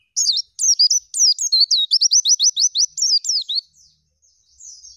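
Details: Oriental white-eye delivering a lively, filled song with rolling and shooting passages: a few sharp chirps lead into a rapid, even trill of roughly a dozen high notes ending in a downward phrase, then near silence.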